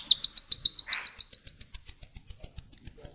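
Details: Russian canary, a caged bird bred for singing, delivering a rapid series of high descending slurred notes, about six per second, steady and even, with one brief lower buzzy note near the start.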